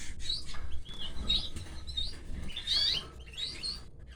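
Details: Young canaries begging as their mother feeds them. High, squeaky chirp bursts peak in a loud, shrill cluster near the end, over a low background rumble.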